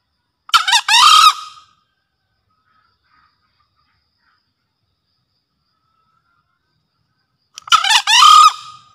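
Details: A green junglefowl in full breeding condition, in a lure recording, gives two short, hoarse, broken crows about seven seconds apart, with silence in between.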